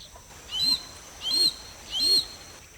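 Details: Harris's hawk (Parabuteo unicinctus), a sociable raptor living in family groups: three loud, harsh, rasping notes at regular intervals of about seven tenths of a second, each with a short rising edge, over a quiet background.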